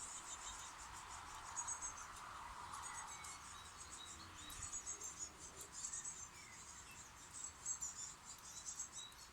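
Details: Chicks in a birdhouse on a front porch near Steinalben, Germany, being fed by two adult birds; rapid high thin cheeping bursts repeated throughout, with a few short mid-pitched chirps and faint background hiss.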